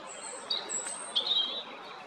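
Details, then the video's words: Song of a European robin at Jarun, Zagreb, Croatia, 13 April 2022: a high drawn-out whistle followed by short, thin, trilled notes, set against faint steady background noise. "Ptice Hrvatske - Crvendać (Erithacus rubecula) (Birds of Croatia - Robin)"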